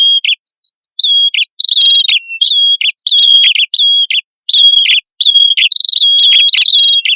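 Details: Male and female prinias in a spirited lure recording for attracting birds: repeated thin high whistles with falling hooked endings, phrases overlapping and growing busier toward the end, accompanied by faint sharp ticks.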